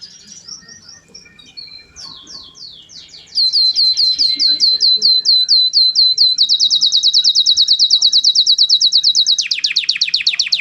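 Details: Canary in song: soft varied twitters give way to a loud, fast series of repeated rising-falling notes, then an even quicker steady trill and a final lower buzzy roll.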